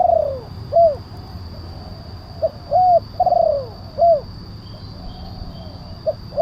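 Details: Spotted dove (tekukur) calls used as a lure for wild doves: a short note then a coo, a long rolling downslurred coo and an arched final coo, repeated about every two seconds over a steady low hum.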